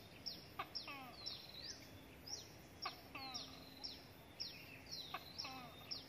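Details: Hill prinia chick begging for food while being fed a gecko and a grasshopper by its parent. Quick run of high, falling squeaks interspersed with lower chirping notes and a few sharp clicks.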